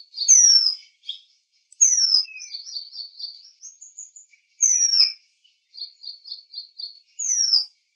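Oriental magpie-robin giving loud, high, down-slurred whistles every two to three seconds, separated by softer, rapid chattering notes; no other sounds.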